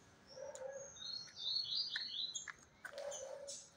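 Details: A kept green-winged saltator sings fast at another bird's home in Brazil, the two answering each other in a singing challenge: a run of clear, high whistled notes rising and falling, with sharp chirps and softer lower notes.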